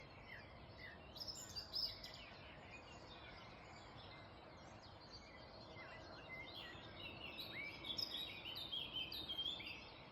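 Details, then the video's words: Several wild birds singing in the early morning in the Black Forest: faint high chirps and short whistled phrases scattered over steady broadband background hiss, denser toward the end. "Birds singing in the early Morning in black forest"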